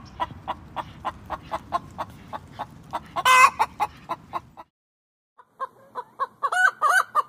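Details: Hen clucking: steady short low clucks repeated several times a second, one loud squawk near the middle, a brief pause, then higher rising clucks and squawky notes, over a faint low background hum.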